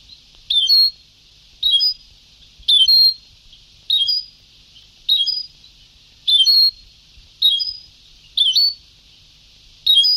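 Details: European goldfinch in an old Sebtaoui-style recording, repeating about nine crisp, twittering phrases, each a rapid run of high slurred notes, roughly once a second, above steady tape hiss.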